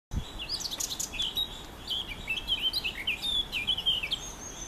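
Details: A male Eurasian blackcap in a honeysuckle bush sings a rapid, rich warble of varied chattering and fluty notes for about four seconds, with a faint high thin note behind and a soft background hiss.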